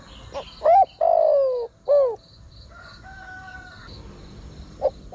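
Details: Spotted dove calling to draw in wild birds. A hooked note is followed by a long falling coo and a shorter dropping coo. Quieter notes and a soft high trill fill the rest, and another phrase begins at the end.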